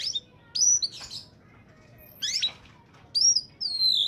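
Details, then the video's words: Oriental magpie-robin singing in peak form, used as a lure for wild birds: short bright whistled phrases with sharp downslurs and a sustained high whistle near the end, separated by brief pauses. "suara burung Kacer saat sedang on fire!!!! pancingan burung bakalan/ pikatan"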